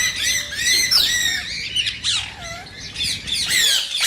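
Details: Rose-ringed parakeet calling to stimulate singing and mating: ringing, whistled screeches and rasping squawks, including a few clear downward-slurred whistles amid quick uneven chatter.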